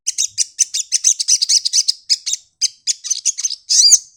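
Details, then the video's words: Sunbird singing while opening its wings: rapid high chattering notes repeated several times per second, sharp and twittering, ending in a denser squeaky burst. "burung kolibri madu bunyi buka sayap nyepion"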